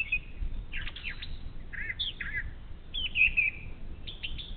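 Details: A Brown thrasher sings in the morning by a Bald Eagle nest on the Little Miami River, Ohio, caught on a streaming camera: a fairly quiet run of varied slurred and rasping phrases over steady background hiss.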